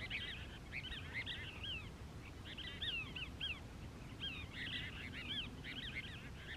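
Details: Wild Cassin's Kingbirds, a pair from a family group sitting on powerlines in Moro Canyon, Crystal Cove State Park, California, 19 December 2021, giving dense runs of scratchy, slurred notes in overlapping clusters, with steady soft background hiss.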